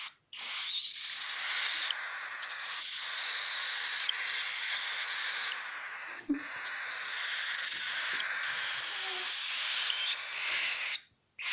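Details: Three sibling cockatiel chicks aged 20 to 26 days, just after their first morning feed, give a steady, raspy hissing wheeze, a continuous breathy rasp with brief surges running almost unbroken for about eleven seconds.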